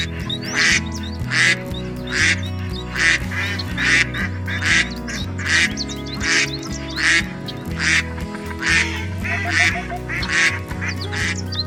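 A duck quacks in loud, harsh, nasal bursts, about one every second in a steady run, over background music.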